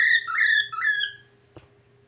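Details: A brief whistled phrase from a whiteface cockatiel starting to sing again: smooth, sliding notes rising and falling for just over a second, followed by a faint click.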